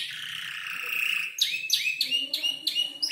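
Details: Five-month-old canary in its song-learning stage: a sustained high buzzy note followed by short, clipped, rising whistled notes.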